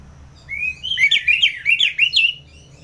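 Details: Orange-headed thrush song in ngeplong style, a rising whistled slur followed by a quick chain of bright, looping warbled notes that climb and fall, about seven notes in under two seconds.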